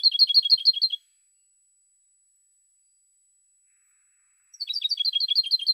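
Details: European goldfinch song from 2016: two bursts of rapid, high, tinkling repeated notes about a second each, separated by a long silent gap.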